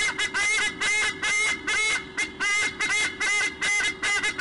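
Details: White-bellied sea eagles calling during a nest exchange on 1 July 2015 (or 7 January 2015, depending on date format), giving loud, harsh, goose-like honks in a steady run, about two every second, with no other sounds.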